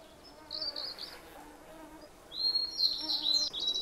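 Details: Blue-and-white flycatcher singing in the Khingan State Nature Reserve, Amur Region, Russian Far East: two bright, high whistled phrases, the second longer and warbling. Softer, lower-pitched notes from other birds run underneath.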